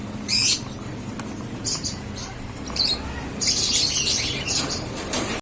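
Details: Yellow African lovebirds, a pair, give short bursts of shrill, high chirping calls, the loudest near the start and in a longer chattering run toward the end, over a steady background hiss.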